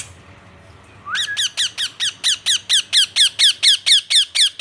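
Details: A female rose-ringed (ringneck) parakeet, calling to her companion parrot, gives a fast run of harsh, shrill chirps, about two per second, each a quick downward squawk, in a quiet indoor room.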